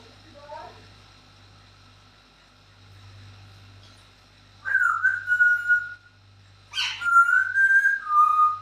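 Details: Pet parrot whistling the tune of happy birthday during a live stream: after a quiet stretch with a steady low hum, two sustained whistled phrases, wavering and slightly falling, each lasting over a second.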